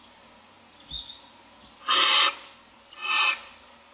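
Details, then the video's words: Hungry Barn Owl owlets, six of them, in a nest box on a day-25 morning: two harsh rasping hisses about a second apart, preceded by faint high whistles and a soft thump. "Barn Owls : 6 owlets looking for food"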